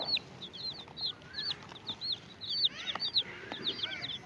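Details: Domestic chicken chicks with a hen peep rapidly in high, thin, downslurred notes, nearly two per second, with a few lower hen clucks and faint background noise.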